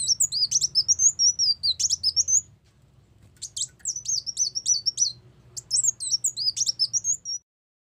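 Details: Brown-throated sunbird song played to lure birds into traps: long volleys of high, rapid zigzag twitters, broken by a quiet spell, then two more lively bursts over a faint low drone.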